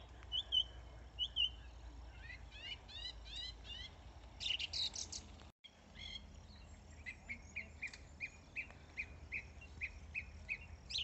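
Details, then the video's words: Song thrush singing loud, varied phrases of whistles and sharp trills, each phrase repeated before changing, with other birds calling behind, heard on an autumn Saturday walk on 5 June near water with racing yachts. "I feel so lucky I got to listen to a song thrush."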